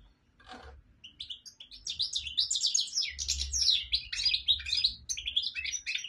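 A goldfinch sings a fast, continuous jumble of bright twittering notes and liquid trills, with a low hum in the background.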